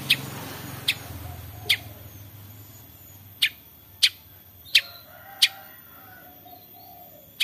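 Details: Long-tailed shrike 'toet toet' calls used to get other shrikes singing: eight sharp, dry notes, some clustered and some spread apart, with soft low noise early on and faint thin tones later.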